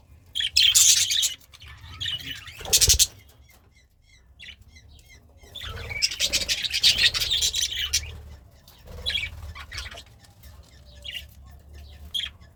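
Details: A happy pet budgerigar, also called a parakeet, kept while eating greens, gives bursts of high, scratchy chirps and warbles, broken by short pauses and a few dull thumps.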